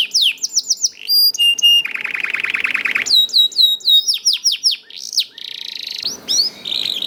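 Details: Young canary in full, persistent lure song for other canaries, quick whistled phrases, a sustained vibrating roll of over a second, then rapid downward chirps and short trills.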